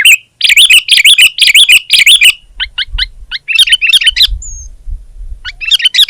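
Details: Sooty-headed bulbul in vigorous song: a run of rhythmic, looping warbled chirps, then broken bursts of sharp notes, a short pause and renewed chirping.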